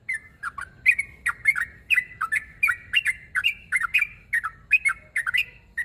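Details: Sooty-headed bulbul challenging a rival with a lively, continuous run of sharp chirps and brief whistled slurs, roughly two notes per second, steady in loudness throughout.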